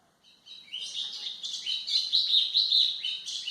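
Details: White-throated seedeater singing for training young birds, a loud, continuous, rapid warble of high sweet notes and trills, clean and close.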